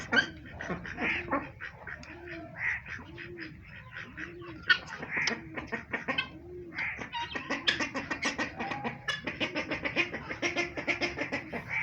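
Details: A white guineafowl gives harsh, repeated arching calls that build into a fast, rattling cackle, among other poultry that may include turkeys and a duck.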